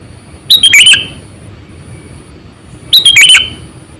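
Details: Sooty-headed bulbul used as a lure bird, about 8 to 9 years old, delivering two loud chattering phrases of four or five quick liquid notes, the last sliding downward, spaced about two and a half seconds apart.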